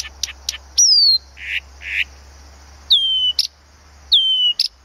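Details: At Planta, Podlaskie Voivodeship, a Blyth's reed warbler sings sharp ticks, a falling whistle, two buzzy rasping notes, then more sliding whistles with clicks, spaced about a second apart, over a steady high hiss.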